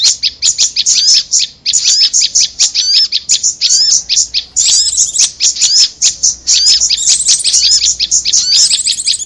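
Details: Prinia lure sound used for bird trapping, mixed with a korlap lure: dense, high, sharp chirps in quick runs, with short upward-swooping whistled notes standing out about once a second, and overlapping chatter throughout.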